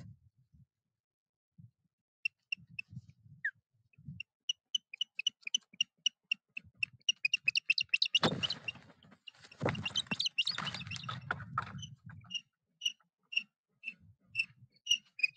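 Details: Osprey at a nest in the Napiwodzko-Ramucka Forest on 14 April 2023, as a foreign osprey attacks and wounds the resident pair. Short, sharp whistled notes repeat several times a second and speed up, broken by loud scuffling, flapping and rustling bursts.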